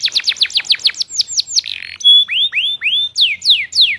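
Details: Canary song from a long training compilation, lively and full of varied phrases: a fast run of short falling notes, then slower swooping whistles that rise and fall, ending in sharp descending slurs.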